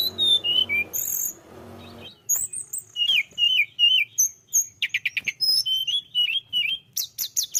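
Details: Tledekan gunung singing energetically, meant to prompt other birds: descending whistles, a high piercing note, then varied slurred phrases, rapid clicking trills and a closing burst of sharp high notes.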